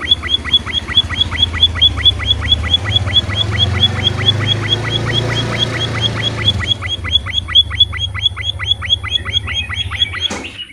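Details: Emprit munia chirping steadily, recorded as a lure to make other birds sing: sharp, high, down-slurred notes about twice a second over a constant low hum and background noise.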